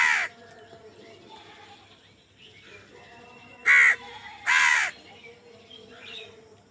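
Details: Crows in a food fight: a caw at the start, then a pause and two loud, grating caws close together, with faint bird twitter between.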